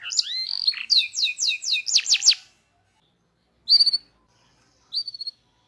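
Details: Local canary song recorded for training other canaries, rolling trills and fills; fast run of sweeping whistled notes and a buzzy roll, then silence broken by two short bursts of rapid trilled notes.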